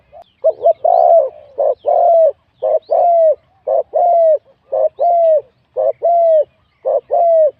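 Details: Spotted dove in a singing competition, a wild bird noted for its middle-to-large voice; loud, clear, low coos repeat steadily, each phrase a short double note then a long arched coo, about once a second.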